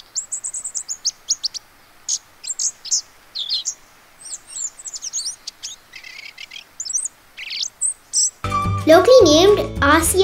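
Asian brown flycatcher giving thin, very high twittering notes and short trills, about three per second. A voice and music take over in the final two seconds.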